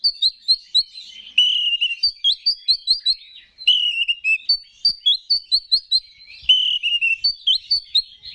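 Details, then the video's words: Energetic Oriental magpie-robin song used to provoke rival males into singing: quick repeated whistled notes and slurred phrases in rapid bursts, a few per second, with mimicked chip notes mixed in. No background noise. "4UTO G4COR🔥Pancingan Menaikan Emosi K4CER‼️"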